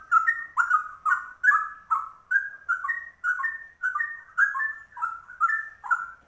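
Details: A yellow-vented bulbul, locally trucuk and called rare, singing a cucak rowo-like ropel: rhythmic, loud whistled phrases of paired rising and falling notes, repeated at a brisk, even pace over six seconds.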